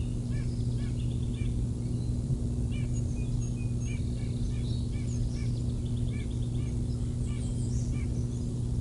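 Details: Bald eagles at the Decorah North nest in early morning, 6 July 2021: short sharp piping notes in loose clusters, repeated irregularly over several seconds above a steady low rumble of background noise.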